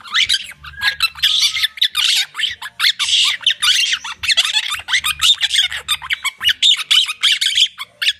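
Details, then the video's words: Several monk parakeets (quakers) in a noisy mood give a long run of loud, grating squawks and chatters, rapid and almost continuous, with brief gaps between bursts and a soft low hum in the background. "The quakers"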